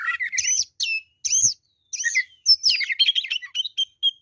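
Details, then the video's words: Oriental magpie-robin, fighter bird singing at full strength: varied loud whistled phrases with pauses, followed by a fast tumbling series of sharp chirps and trills. "kacer deker gacor ngobra fighter"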